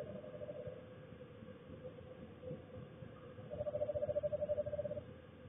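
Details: Eastern screech owl courting in a backyard near an owl house on an early winter evening; after a quiet, faint opening, a steady, even-pitched, rapidly pulsed trill runs for about one and a half seconds, over a low background hum.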